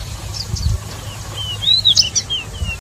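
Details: Oriental magpie-robin, known locally as decu or kacer mini, giving clear whistled song phrases: short high notes, then a run of slurred descending whistles and sharp chirps in the second half, over a steady low hum.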